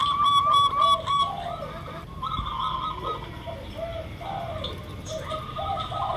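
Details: Local zebra dove lure sound with fast clipped coo notes at first, then lower, wavering coos and scattered softer notes over a steady low hum.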